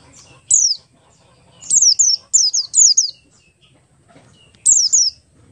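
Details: Lure song of a buxtoni Oriental white-eye, ngalas style, to make other white-eyes sing: a single piercing falling whistle, then a cluster of rapid downward-slurred notes, and another pair after a pause; light low hum behind.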